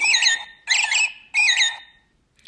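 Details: American Robin singing three short, rich caroling phrases about half a second apart, like 'cheerio, cheerio, cheerily', followed by silence; robins call a lot in the morning.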